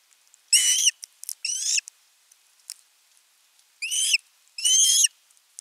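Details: At nest 3 on 10 August 2021, an osprey keeps calling for fish: two pairs of sharp, piercing, slightly wavering whistled cries separated by a gap with faint clicks and taps.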